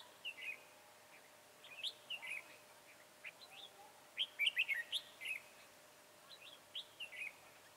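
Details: Red-whiskered bulbul, slender-bodied, high-crested and dark-bibbed, recorded at a trapping session on 22 January 2018; bursts of quick, bubbly whistled notes in clusters, liveliest midway, with gaps between.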